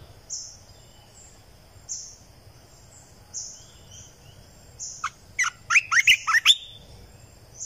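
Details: A 2020 lure song of a red-eyed bulbul: after several soft high whistles from another bird, a brisk phrase of about eight bubbling, rising and falling notes bursts out.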